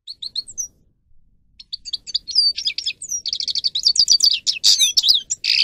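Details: Grey-crowned goldfinch (Carduelis caniceps) training song: scattered high chips and whistles, then an accelerating torrent of liquid twitters, trills and buzzy notes that grows louder toward the end.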